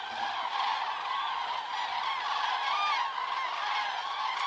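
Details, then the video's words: Large flocks of migrating cranes at an autumn stopover on Hungary's Hortobágy steppe, flying in the evening from daytime feeding grounds to their roost; a dense, continuous chorus of trumpeting, rolling calls, with many birds overlapping at once. "Hortobagy steppe the sound of cranes"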